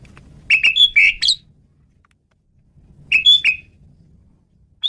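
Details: Lure recording of a male Asian pied starling: a loud cluster of whistled and rasping notes, a pause of about two seconds, then a second similar cluster and a last clipped note.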